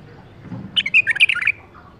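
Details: Caged bulbul bred in captivity in 2018 sings one brisk phrase of about seven bright, slurred whistled notes tumbling rapidly up and down, over faint low background rumble.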